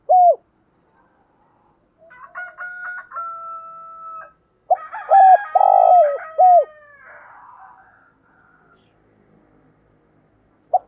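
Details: Spotted dove, male and female, cooing to excite wild doves: a falling hoot, a thin steady whistled tone, then a rapid run of throaty hoots around a long descending one, trailing into soft murmurs and a final hoot.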